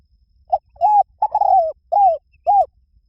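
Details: Spotted dove voicing its soft coo phrase: a brief introductory note, a level coo, a long descending coo, then two rounded coos spaced about half a second apart.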